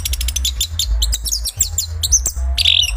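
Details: Chestnut-capped thrush song in a short burst of quick repeated chirps and squeaky whistled notes, ending in a bright buzzy note, over a steady low hum.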